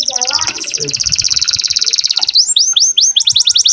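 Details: Young canary singing a tutor song meant to excite other canaries and bring females into breeding condition: a fast, even high trill, then a run of sharply descending whistled notes repeated about every quarter second.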